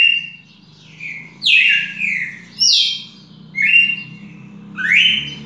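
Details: Red-cowled cardinal recorded on 18 June 2021, singing a series of loud, clear whistled phrases, some sliding down and others sweeping upward, about one per second, over a faint low hum in the background.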